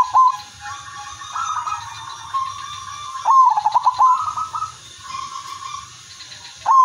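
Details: Silver-line Zebra dove kept caged, its song used to prompt other doves; melodious cooing phrases of rapid pulsed notes trailing into long level tones, about three phrases with steady background hum.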